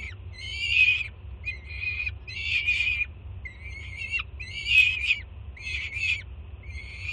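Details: Juvenile peregrine falcon on a Jersey City nest cam, June 24, 2017, screaming with excitement as its banded first-time mother arrives with breakfast; harsh, raspy screams in bursts of about half a second to a second, repeated continuously, over a steady low hum.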